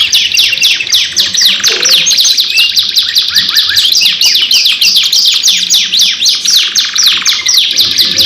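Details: Canary in a cage singing a long 2-in-1 lure song: quick, steady strings of high descending chips, interrupted by short rolling trills, kept up without pause.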